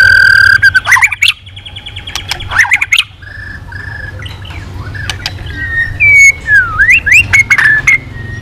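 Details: White-rumped shama singing hard with changing voices: a steady held whistle, buzzy rising bursts, two flat whistles, then loud looping whistled notes rising and falling.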